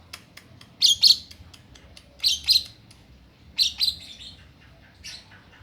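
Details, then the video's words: Two-month-old lovebird calling right after hearing a cough: three short bursts of high, thin, squeaky chirps, each a quick double note, spaced about a second and a half apart, with a fainter final chirp over quiet room hum. "Love bird umur 2 bulan . Denger batuk langsung bunyi"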